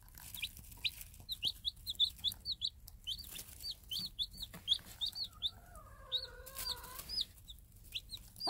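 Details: Free-range game hen with her day-old Minorca-cross chicks, dropping bits of food for them. High, rapid chick peeps repeat steadily throughout. A few lower, wavering hen notes come near the end.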